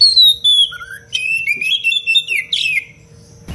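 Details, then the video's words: Oriental magpie-robin singing a dense, lively 'cengkok rapat' tutor song meant for training other birds: a loud falling whistle, a short rising note, then a rapid chain of warbled and trilled phrases, with a faint background hum. "Kacer gacor cengkok rapat pedas untuk masteran"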